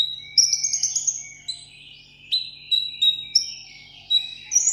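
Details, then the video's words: Pet sunbird in a cage giving contest-style solo song: a brisk jingling high phrase, then pauses broken by single sharp, sliding whistled notes at a high pitch, with a soft low electrical hum. "hút mật 7 màu hót đấu solo"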